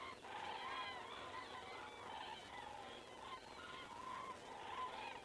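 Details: Evening passage of common cranes in Estonia on 19 September 2017: several birds call together in trumpeting, rolling notes that swell and fade, a louder burst at the start and again near the end.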